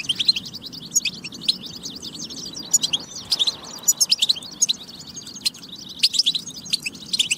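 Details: European goldfinch song from a batba recording for stimulating goldfinches to sing; fast high twittering with sharp chirps and short buzzy trills, run together in long phrases over light background hum.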